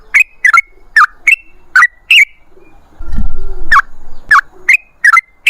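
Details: Sooty-headed bulbul giving short bubbly whistled phrases, each a quick warble of a few notes, repeated roughly every half second with a brief low rumbling noise in the middle.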